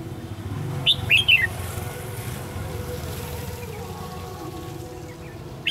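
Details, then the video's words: Fighting song of a red-whiskered bulbul during decoy trapping on 19 March 2016. A single short burst of sharp, warbled whistles comes early, then steady low rumbling background noise like distant traffic, with a faint note at the end. "Bẫy đấu chim chào mào xòe xoẹt"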